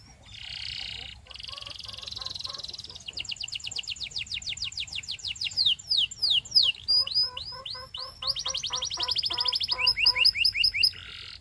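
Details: Belgian canary song: a harsh buzzy opening, then long rapid trills of repeated notes, a series of falling whistled slurs, and further rolling trills; a faint low hum underneath.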